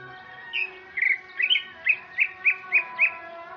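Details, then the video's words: Male Sumatran greater green leafbird singing vigorously in the afternoon: a quick run of about eight short, sharp whistled chirps, each bending up and down, spaced roughly a quarter second apart, over a steady tonal background hum. "suara burung cucak ijo di sore hari"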